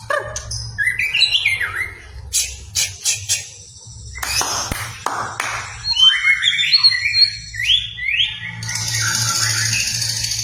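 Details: White-rumped shama in full song, played as a lure to excite a shama that rarely sings. Sharp clicks and rasps lead into rising whistled slurs and fluty runs, with a hissing burst at the end.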